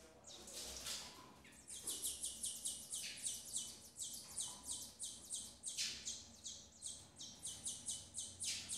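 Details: Female double-collared seedeater feeding her chicks. Long runs of rapid, high, scratchy notes come in repeated pulses, with brief pauses between the bursts, over a low steady background hum.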